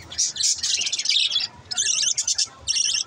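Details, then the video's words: Green lovebirds in captivity producing fast, high-pitched chattering twitters in several bursts, a long run followed by two shorter bursts after a pause. "green love birds sunds"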